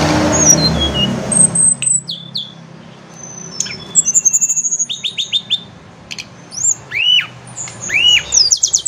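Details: Tledekan gunung (blood-breasted flowerpecker), a bird that answers in the morning and afternoon: rapid high ticking runs, brief descending whistles and a few arched chirps, with noisy rumble at the start.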